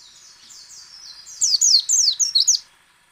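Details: White-eye song used to make other white-eyes sing, a rapid series of high, sharp, downslurred chirps and twitters, mostly in the last second and a half, with a softer thin warble before it.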